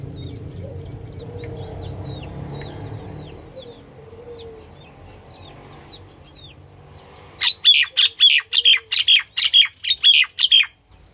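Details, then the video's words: A female common (Indian) myna calls: softer whistled chirps, then a fast run of about a dozen harsh, rasping notes, two or so per second, over a low background hum. "The common myna (Female) | Indian myna calling"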